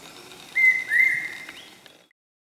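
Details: Brainfever bird, or common hawk-cuckoo, at Okhrey, West Sikkim: one clear, shrill whistled phrase, a flat note followed by a slightly rising, stronger second note, then fading into silence.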